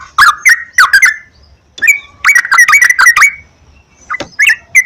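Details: Sooty-headed bulbul song as a singing lure: clusters of bubbly whistled chirps separated by short silences, one dense rapid burst in the middle.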